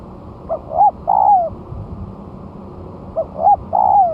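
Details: Captive spotted dove, one month after moulting and placed on the ground, singing as a lure: two three-part cooing phrases about three seconds apart, two short hoots then a long falling coo, over a steady low hum.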